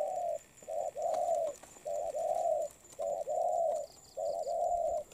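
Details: Loud, clear cooing from a molting wild-caught spotted dove: a short note then a long steady coo, the phrase repeated rhythmically about four times, with faint high chirps near the end.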